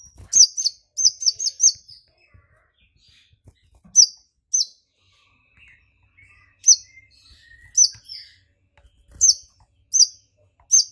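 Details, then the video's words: Brown-throated sunbird singing actively, provoked into excitement and firing off a fill mimicking golden grasshopper song: clusters of sharp, very high chips in quick bursts of three to five, separated by short pauses, with faint softer twitters between. "KONIN GACOR kepancing EMOSI NGOBRA nembak isian BELALANG EMAS"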